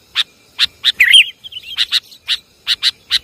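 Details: Sooty-headed bulbul lure call, Java: sharp, evenly spaced chip notes about three per second with one brief, liquid warbled phrase in the middle.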